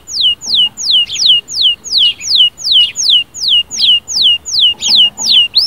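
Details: Canary song to wake up a quiet canary: a loud, very regular series of downward-sweeping whistles, about three per second, clear over a quiet background.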